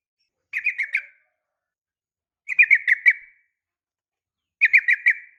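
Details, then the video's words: Female sooty-headed bulbul calling to males in the morning: three short bursts of about four quick, bubbly chirped notes each, spaced roughly two seconds apart, with silence between. "suara panggilan pagi bikin emosi , semua burung trucuk terpancing ikut bunyi gacor dan ropel panjang"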